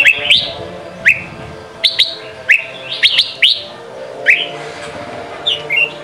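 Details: Red-whiskered bulbul singing a practice song meant for training young birds: short loud whistled phrases, each a quick upward sweep, repeated roughly every second, separated by quieter chatter and a faint background hum.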